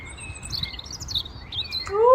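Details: European Robin singing faint, thin, high warbled phrases that waver up and down, with a Common Blackbird also audible; a louder rising, voice-like tone breaks in at the end.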